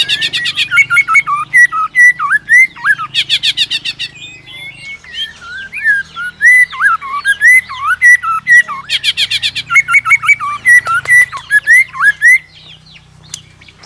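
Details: White-rumped shama, provoked by a female into competitive singing: loud rich whistled phrases with swooping notes, broken by harsh buzzy bursts at the start, around three seconds, and around nine seconds, with a low hum underneath.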